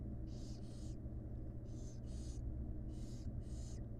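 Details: Barn owl chicks, wild, begging while their mother feeds them in a nest box: six noisy hissing screeches, mostly in close pairs, over four seconds with low background hum.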